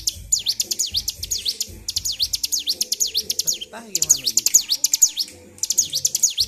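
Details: Bar-winged prinia in a cage, worked up and singing without stopping: bursts of rapid, piercing high notes swooping down and back up, roughly two per second, pausing between bursts, with low background noise and a brief voice.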